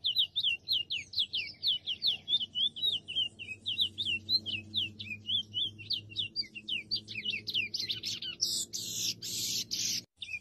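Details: Wild chestnut-bellied seed finch singing a long, rapid series of sweet whistled notes that rise and dip in quick rhythm, ending in a loud burst of rough broadband noise.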